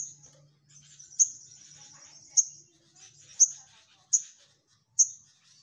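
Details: Orange-headed thrush (sogok ontong) song for training other birds: a steady high thin whistle broken by single sharp accented notes about once a second, with a faint low hum beneath.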